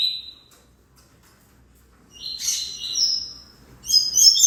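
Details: A single high whistled note, then a pause, then a double-collared seedeater's song: a burst of buzzy, descending notes followed by a sustained whistle and a sharp, high closing phrase.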